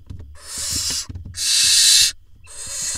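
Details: Barn owl nestlings in an Israeli nest box, 18 June 2021, as the father delivers a vole that is swallowed: three loud, long hissing screeches, each about half a second, with tapping and scuffling between them.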